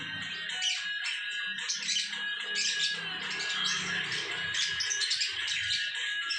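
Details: Lovebird performing ngekek-style song, known as ngecor, as dense, unbroken high chattering and squeaky notes lasting several seconds, with a faint low hum underneath.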